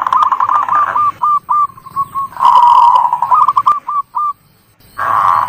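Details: Local zebra dove lure song: bursts of rapid rolling coos alternating with short clipped notes and brief pauses, with a low background hum.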